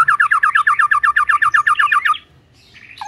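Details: White-rumped shama in full song: a fast run of about fifteen identical looping whistled notes, roughly seven per second, ending abruptly, followed by quiet and a brief faint note.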